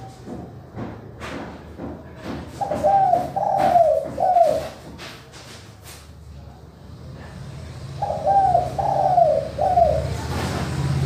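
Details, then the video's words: Spotted dove giving a manggung coo, used as a lure for doves that are slow to call: two three-note phrases of soft, hoarse coos about five seconds apart, with sharp tapping clicks between them. "Tekukur/ Derkuku suara kristal manggung"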